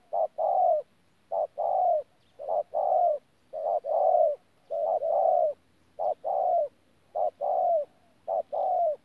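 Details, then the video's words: Spotted dove (bổi thổ), recorded at Tu Mơ Rông on 14 January 2019, cooing steadily: paired low notes, a brief hoot then a longer sliding coo, about eight phrases at a regular pace with no other sounds. "BỔI THỔ PHA GÙ QUÁ TỐT"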